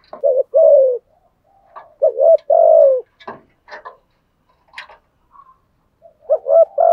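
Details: Spotted dove kept as a decoy to attract wild birds, giving steady mid-pitched two-part coos, with clicks and knocking sounds from the cage between phrases, then a final coo at the end.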